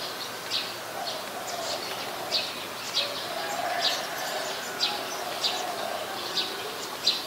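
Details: Brown-throated sunbird in Ubon Ratchathani, Thailand, 13 January 2021, Nikon P1000: a series of brief, high, clicky chips repeated roughly every half second to second over a faint, low, droning background.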